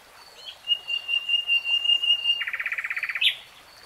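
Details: Nightingale, common species, holding a long level whistle that breaks into a quick, even trill of rapid pulses, closed by a sharp high flick.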